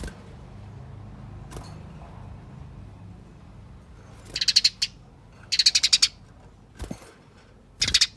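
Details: Eurasian tree sparrow in fighting chatter, a lure meant to set other sparrows singing: after a quiet start, short bursts of fast, high, rattling notes come in three groups, about a second apart.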